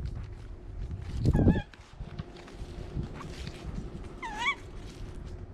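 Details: Hungry captive tawny owl after its flying exercise, asking to be fed: one loud, harsh, wavering screech, then a softer repeat about three seconds later, over steady low background rumble and rustling.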